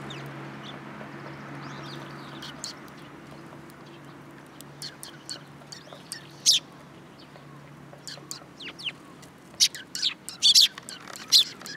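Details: Sparrow fledglings perching on a hand at a Tenmangu shrine in July 2022; soft scattered ticks build into louder irregular sharp chirps toward the end, over a low steady hum.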